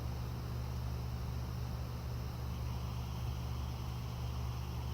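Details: A low, constant mechanical hum like a running engine or fan drones throughout, with no animal sound.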